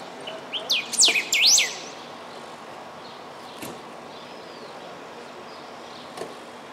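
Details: A Golden-billed Saltator (subspecies parkesi) at Canguçu, Rio Grande do Sul, on 4 September 2016 gives one short, loud phrase of four or five sharply swept, whistled notes, then quiet background with a few faint clicks.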